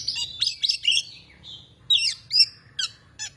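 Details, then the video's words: Energetic song of an Oriental magpie-robin, with rapid clear whistles and scratchy chirps at first, a short pause, then loud ringing whistled notes and crisp chips. "kicau kacer gacor"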